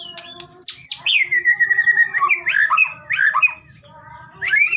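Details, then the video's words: White-rumped shama song for coaxing a shama to sing: sharp high notes, then a run of slurred whistled phrases dipping and rising repeatedly, a pause and a final rising whistle, over low background hum. "masteran burung murai batu..! terapi Murai batu cepet gacor..!!"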